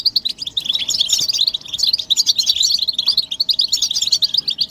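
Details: Collective European goldfinch twittering, described as mating and readiness calls that push males to sing, with loud, dense, tinkling high notes tumbling over each other without a break.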